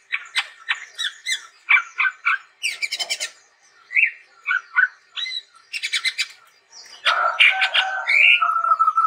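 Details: Chestnut-rumped babbler singing a varied, lively song: short whistled and chattering notes, harsh buzzy bursts, and a long rich warbled phrase near the end.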